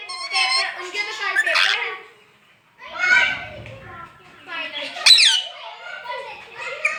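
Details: Ringneck parrot at home imitating human speech, saying "Mian Mitthu Chori Khani Ha"; two bursts of chattering, voice-like syllables separated by a short silence, with one sharp high squeak.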